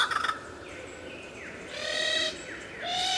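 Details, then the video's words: A lyrebird sings very clearly and loudly, a recording meant for training cage songbirds: a quick burst of clicking notes, then clear high whistles, sliding downward slurs and ringing, rich tones that change every half second. "suara burung lyrebird gacor"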